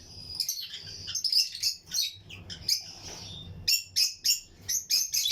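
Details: Lutino lovebird pairs in a colony aviary chirp rapidly, with shrill squeaky notes coming about three times a second in uneven bursts, some rising to piercing peaks, over a faint low hum.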